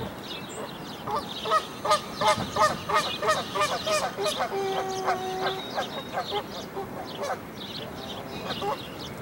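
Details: Canada goose at a nest in a dead tree with five newborn goslings that jump out to follow their mother. A rapid series of harsh, nasal honks repeats almost three times a second, then fades, with faint high chirps from other birds.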